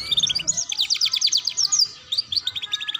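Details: Domestic canary tutor song of the ngeriwik style, used to teach young canaries: fast, high trilled bursts of repeated sharp notes, bright chirping phrases running almost continuously with brief pauses, over a faint low hum at the start.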